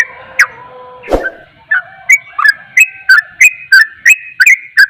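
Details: Sooty-headed bulbul giving a rapid ropel song said to agitate other bulbuls; after a lower mixed opening and a sharp burst, short whistled notes with clicky edges repeat about three times a second.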